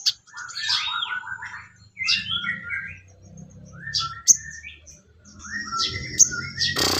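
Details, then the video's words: Sooty-headed bulbul song used as training material for songbirds: short bubbly, warbled phrases at middle pitch, separated by brief pauses, with high thin whistles and sharp clicks between them. "MASTERAN BURUNG SOGON MATERI ISIAN"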